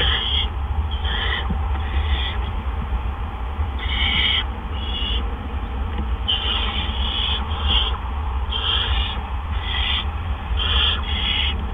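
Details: Barn owl nest on April 17, 2013, at 8 PM, with two adults delivering gophers in quick succession. A dense run of short, rasping hiss-screeches, some overlapping, comes in irregular bursts above a constant low rumble.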